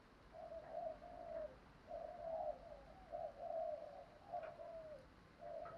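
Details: Spotted dove cooing softly and at a distance, a run of low, hollow notes rising and falling in a drawn-out series, heard over steady hiss and background noise.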